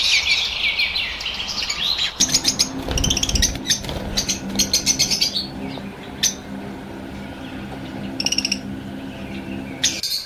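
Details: Pet blue lovebirds, including blue opaline and parblue opaline colour forms, kept in Pakistan. Shrill, high chirps come in quick irregular bursts, some clustered and rapid. Wing flapping and low rustling run underneath.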